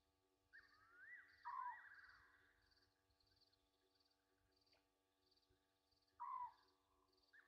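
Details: Egyptian geese calling near midnight at Gowrie dam waterhole, Djuma Game Reserve, Sabi Sand Wildtuin, South Africa, August 2023: two loud falling notes about five seconds apart, the first joined by a wavering tone, over steady pulsing insects and a hum.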